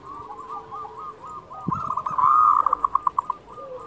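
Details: Local zebra dove in full song, a phrase used as a master to teach quiet doves to sing: soft coos build into a loud rolling coo, then a rapid run of evenly spaced pulsed notes, with other doves cooing faintly behind.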